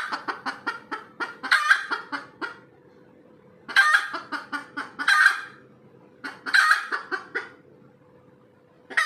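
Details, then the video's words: Red junglefowl hen calling after laying an egg: rapid dry clucks quicken into loud, harsh, drawn-out cackles, three bouts over nine seconds with short pauses, over a steady low hum. "AYAM HUTAN SELEPAS BERTELUR"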